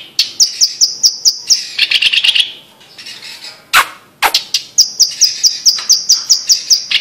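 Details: Blue-masked leafbird song recorded on Sumatra: high repeated sharp notes leading into a rapid buzzy chatter, a short gap with two sharp clicks, then another run of high clipped notes.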